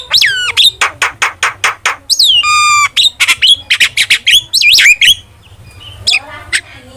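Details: Starling training song: a rhythmic series of sharp notes about every third of a second, a nasal buzzy note, looping whistles, then soft scratchy chatter.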